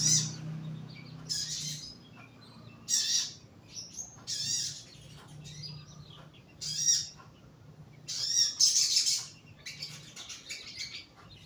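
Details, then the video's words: Young caged bulbul kept in a lower cage for song therapy, giving bursts of high, thin chirps and twittering phrases every one to two seconds, separated by pauses, over a low steady hum. "BUNYI SOGON MUDA TERAPI SANGKAR BAWAH"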